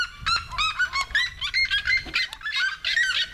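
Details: Red-legged seriemas singing on a road in the São José neighbourhood of Conselheiro Lafaiete, Minas Gerais, Brazil: loud, dense series of harmonic yelping notes, overlapping and rapidly repeated, rising and falling throughout.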